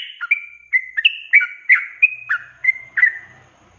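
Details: Sooty-headed bulbul giving a rapid ropelan-style song, used as a tutor recording for cage birds: a run of short, bubbly whistled notes, some rising and some dropping, about three per second, with no other sounds.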